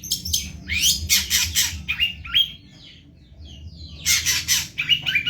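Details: Long-tailed shrike singing very actively, a recording used to train songbirds: bursts of harsh, raspy squawks and short chattering notes alternate with brief thin whistles, with a quiet pause in the middle before the harsh bursts resume.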